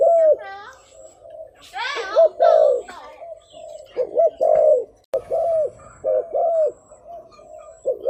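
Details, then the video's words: Spotted dove used as a decoy to call in wild birds: deep coos mixed with bright twittering from other birds early on, then cleaner paired coos toward the end. "Suara Pangilan Burung Terkukur Yang Memukau, Thúc Gù mp3 | Chim Cu Khách"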